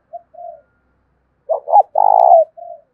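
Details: Decoy spotted dove, 'thổ đồng' voice, cooing to incite a fight: two soft low notes, a pause, then a clipped stuttered pair and a loud, long, rattling coo that ends in a gentle falling note.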